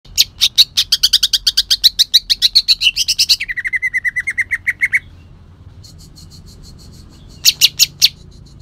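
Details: Greater green leafbird from Kalimantan singing rough bursts with shrike mimicry: a fast train of sharp, evenly spaced chirps, then a lower rapid buzzy trill, a pause, and a brief renewed chirp burst.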